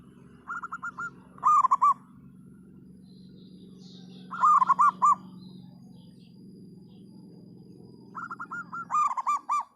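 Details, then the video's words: Loud singing from a local-strain zebra dove. Soft trilled notes lead into fast, strong, rippling coo phrases, repeated about every three to four seconds, over a constant low hum. "perkutut lokal gacor suara lantang"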